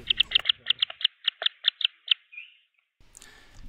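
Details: Green wood hoopoe chicks, four nestlings about to be ringed in their nest box, give a quick run of about a dozen high, thin peeps, several each second, trailing into a short trill, then a soft rustle. A nearby male had just given alarm calls.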